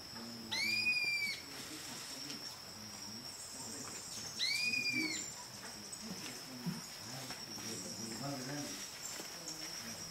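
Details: Social Flycatcher at Milpe Bird Sanctuary, Ecuador, in May 2012 gives two harsh, rasping calls that rise and fall, about four seconds apart, over a steady high insect drone.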